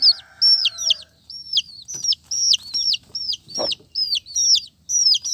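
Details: Colourful chicks peep loudly and clearly, each cheep a sharp high note sliding down, about two or three per second, with a short hum at the start and one tap.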